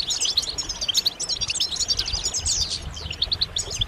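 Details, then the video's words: Several European goldfinches calling together, a group chorus meant to stimulate males to sing: dense bright twittering and tinkling notes overlapping continuously, with quick metallic trills, and faint low rumble beneath. "بتبتات جماعية رهيبة للحسون فعالة في تحفيز الحسون على التغريد والهيجان"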